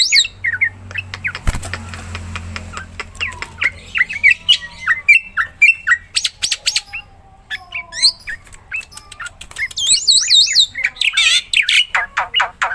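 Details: Black-winged myna (jalak putih) singing gacor to stir quiet mynas: a varied, rambling mix of squawks, chirps and slurred whistles, with a dense trilled warble near the end.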